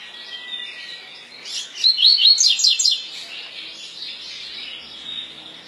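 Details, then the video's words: Double-collared seedeater, brown-plumaged (pardo), delivering its 'tui tui' style song: a quick, bright sequence of sharp high zigzag notes over about a second, set against faint background hiss. "COLEIRO PARDO COM CANTO TUI TUI"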